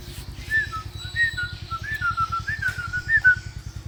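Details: A hill myna mimicking a human whistle with a string of short, clear whistled notes stepping slightly up and down. A steady rhythmic low mechanical pulsing runs underneath.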